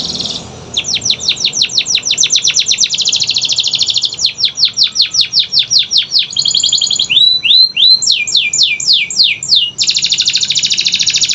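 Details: Canary song played to prompt silent canaries to sing: fast trills of high notes, rapid downward-sweeping syllables repeated in runs, a steady buzzy roll, then rising whistled slurs and a final dense high trill.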